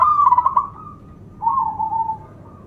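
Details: Local zebra dove with a powerful, specially rhythmic voice, used to draw in other doves; a fluttering coo trailing into a long note, then a second smoother, slightly falling coo.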